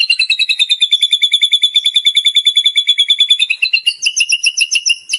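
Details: Shama training song rich in borrowed sounds: a sustained, rapidly pulsed high trill, steady in pitch, shifting at the end to a brisker repeated two-part note.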